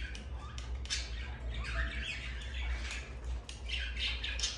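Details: Several pet budgerigars in the morning chattering almost nonstop, with quick warbled chirps and squawks bunching together through the middle and end, over a constant low rumble.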